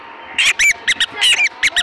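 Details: Black francolin call, a brief run of coarse, raspy notes in clusters of two, some ending in a thin squealing inflection, with quiet gaps between bursts and little background noise.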